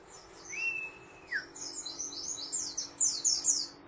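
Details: White-eye song opening with a long, level, clear whistle that drops sharply at its end, followed by dense, high, rapid twittering and chirping phrases growing louder toward the close, over a low steady hum.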